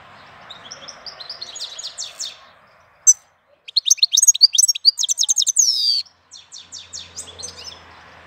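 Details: European goldfinch in April giving a long, lively song of tumbling twitters, fast trills and buzzy notes, loudest in the middle, with a soft hum in the background.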